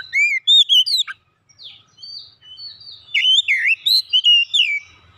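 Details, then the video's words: Oriental magpie-robin singing a rich, varied run of clear whistled phrases, some swooping up and down, others sliding, with a brief pause before a busier burst of quick warbled notes; background quiet. "BURUNG KACER"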